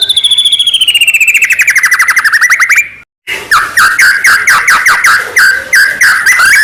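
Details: White-rumped shama song used as a lure to provoke other shamas into singing: a fast trill of rapid notes slurring down for three seconds, a brief gap, then loud rhythmic strophes of sharp repeated notes.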